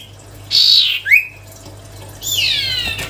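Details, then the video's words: Cipow sirtu songbird in lively, melodious song: a sustained high whistled note, then a sharp rising slur, a pause, and a longer rich descending whistle with harmonics. A faint low hum sits in the background. "siulan merdu burung sirtu cipow gacor"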